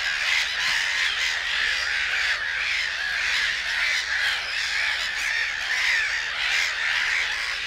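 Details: Black-headed gulls in the reed beds of Matsalu, USSR, from a 1979 field-recording LP: a dense, continuous chorus of harsh, overlapping squawks and caws from many birds, with no pause throughout.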